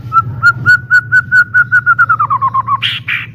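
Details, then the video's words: White-rumped shama song used as a lure, loud and clear: a steady run of about fifteen evenly spaced whistled notes on one pitch, quickening and dipping lower at the end, then two harsher, buzzier higher notes, over a low hum. "PANCINGAN MURAI BATU PALING GACOR DAN AMPUH SUARA JERNIH VOLUME KENCANG"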